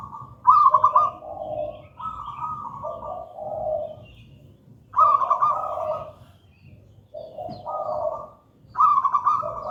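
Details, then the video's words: Gedang rojo style song of a local wild zebra dove (perkutut), used as a lure for spotted doves and as a master for non-singing doves. Rolling mid-pitched coo phrases alternate with lower purring notes, each phrase repeating roughly every four seconds. "Perkutut lokal gedang rojo gacor merdu"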